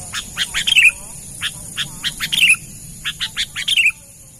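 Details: Sooty-headed bulbul lure call, persistent vocal type: groups of sharp chirps building into brief bubbly warbled phrases, repeated about every second and a half, over a low background rumble.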